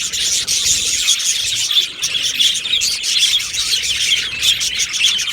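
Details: Budgerigars in an aviary colony, recorded 12 July 2025, give dense, continuous high chirping and warbling chatter from many birds at once, with rapid overlapping tweets and no pauses.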